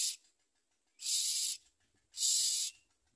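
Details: Common myna nestlings with their mother, eating less and wanting to bite her: three loud, breathy rasps about one second apart, each lasting roughly half a second.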